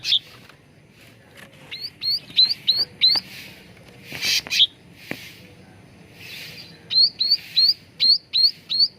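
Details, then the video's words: Sooty-headed bulbul (cucak ranting) lure song for getting birds to sing readily: a series of short rising whistled upslurs repeated about three times a second, interrupted midway by scratchy clicks and noise, then resuming. "SUARA PANCINGAN CUCAK RANTING BAHAN AGAR CEPAT GACOR || MASTERAN CUCAK RANTING"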